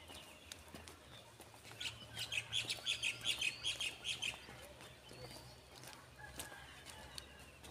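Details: Bird calling in nature by a lake: a quick series of high, thin chirps repeated about ten times over two seconds, over steady low background hum and faint distant sounds.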